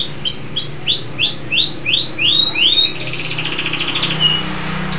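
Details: Local canary singing vigorously: a run of rising whistled sweeps repeated about three times per second, then a fast buzzy rattling trill and a few high clipped notes.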